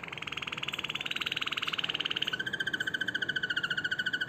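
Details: Harz Roller canary singing a continuous rolling, pulsed trill, steady and even, that drops abruptly to a lower, deeper roll midway and carries on without a break.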